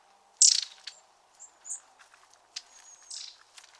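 Long-tailed Tits calling in a flock: a loud burst of dry, rasping churrs, then thin, very high see-see notes and brief chirps scattered over a few seconds.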